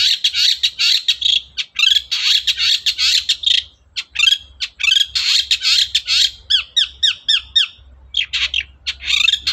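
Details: Long-tailed shrike in full, energetic song used as a lure to make quiet shrikes sing: dense bursts of harsh, scratchy chatter run almost without pause, broken once by a rapid series of sharp, slurred ticking notes.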